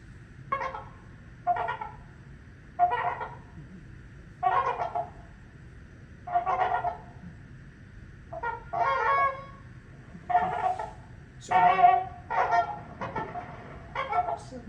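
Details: Trumpeter swans, which nest at Horicon Marsh, give loud, nasal, horn-like honks about one per second, overlapping more toward the end; a gathering of them is likened to a junior high school band concert.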